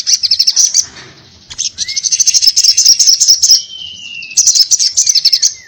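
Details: Crimson sunbird singing energetic 'ngobra' fighting song in 'tarung ngalas' style. Dense, high chattering trills come in three long bursts, with a smooth, slightly falling whistle threaded through the middle.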